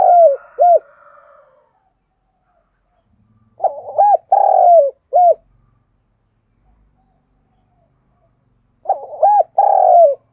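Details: Spotted dove decoy coos for attracting wild doves, mid-pitched phrases of brief hooked notes followed by a drawn-out descending coo and a clipped final note, repeated about every four to five seconds with silent gaps between.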